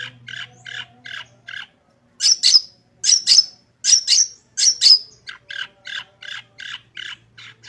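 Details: Long-tailed shrike song rich in fill-in phrases, a master recording for training shrikes to sing: repeated mid-pitched chattering notes, a run of loud rasping buzzy bursts, then quicker chatter again, with a faint steady low hum.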